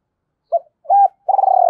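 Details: Spotted dove lure call for attracting other doves: a brief coo, a longer level coo, then a rolling, vibrating purred note that runs to the end.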